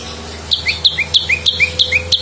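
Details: Lumut prinia song played as a lure for songbird training: six clear repeated couplets of a high sharp note and a lower falling whistle, over a steady low hum.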